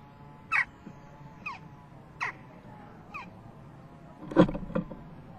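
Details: Western jackdaw fledgling at a nest box on 12 June 2015 around 11:19, begging its parents for food as it prepares to fledge; six short, harsh calls sweeping downward, spaced about a second apart, over a low background hum.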